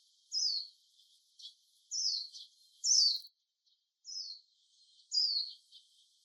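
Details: Japanese white-eye calling on a casual birdwatching walk: clear high, thin descending notes, each sliding downward, given in loose spaced bursts about every second; quiet background otherwise.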